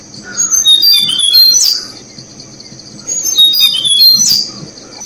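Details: Tickell's blue flycatcher parents feeding chicks in Thai forest; sweet whistled phrases around two per few seconds, slurred and descending, over a steady high insect-like hiss.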